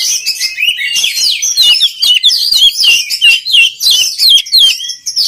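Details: Oriental magpie-robin, singing to train other magpie-robins: rich, varied whistles and twisting chirps in quick bursts, repeated roughly three times a second, loud and clean throughout.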